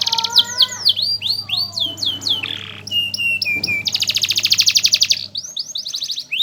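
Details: Canary used as a master bird for teaching song: high, varied phrases of sweeping downslurred whistles, then a dense rapid buzzing trill and more chirps. A low steady hum runs underneath for most of the clip.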